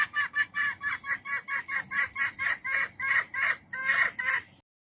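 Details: A female jungle fowl calling for a mate gives a fast series of about fifteen short, clucking notes, roughly three per second, steady and mid-pitched, ending abruptly.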